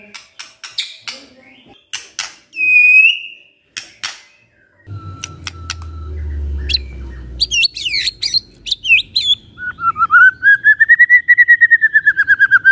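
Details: Morning white-rumped shama song used to provoke silent birds: scattered sharp clicks and a lone whistle, then a low rumble under busy chattering phrases, ending in a long rapid series of rising-and-falling whistled notes.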